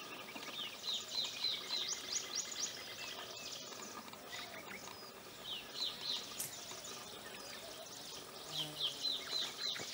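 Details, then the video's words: Common babbler singing: dense chattering bursts of high, rapid notes repeated several times a second, with clear trilled phrases near the end and faint background noise. "The Sweet Singing Babbler"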